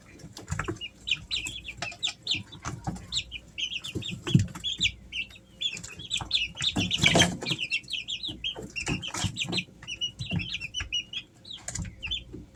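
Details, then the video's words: Many Easter Egger chicks, three weeks old, indoors at home in summer, keep up a steady chatter of high chirps and peeps, punctuated by scratching, thumps and a brief burst of rustling. "Sounds of baby chicks"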